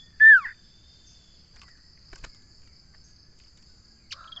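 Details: Common iora giving a single loud, sharply down-slurred whistle that falls steeply from high to lower pitch, followed by a short burst of sound near the end; a thin steady high hum runs throughout.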